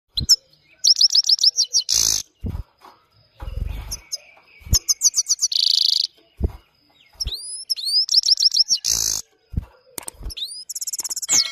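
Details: A European goldfinch, described as Himalayan, sings a fast, high twittering song of tinkling trills and bright rising notes, broken by short pauses, with a few low knocks and thumps between phrases.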